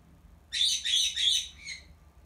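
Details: Pet black-headed caique indoors giving its contact call to its owner, who is washing its cage: three or four harsh, high "pyaa" squawks run together, over a low room hum.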